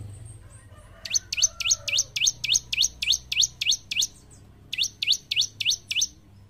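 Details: Bar-winged prinia in full gacor song for training caged ombyokan birds: about eleven piercing high chirps, each sweeping steeply downward, given at roughly three per second, a short break, then five more.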